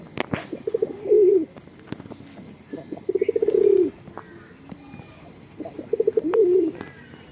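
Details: Pigeons at a rooftop pigeon farm on a house. Three low, throaty cooing phrases come about every two and a half seconds. Each starts with quick pulsing notes and swells into a longer rolling coo. Faint clicks and knocks sound between them.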